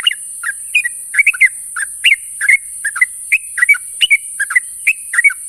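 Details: Morning calls of yellow-vented bulbuls summoning companions: repeated short liquid notes, some rising, some falling, in a lively chattering run about every half second, over a constant high-pitched background hiss.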